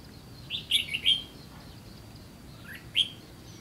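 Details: Red-whiskered bulbul in a trapping setting: a short burst of four clear, whistled notes around the upper-middle range, close together, then a pause and one more bright note near the end.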